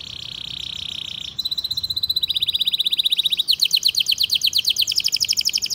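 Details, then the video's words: Canary singing in a long tutor recording meant to teach young canaries and spur silent ones to sing: a steady high whistled note, then fast rattling trills that jump to a higher, brighter rapid trill near the end. "PANCINGAN KENARI GACOR PANJANG Ini Cocok Untuk Masteran Kenari PAUD & PANCINGAN Kenari MACET BUNYI"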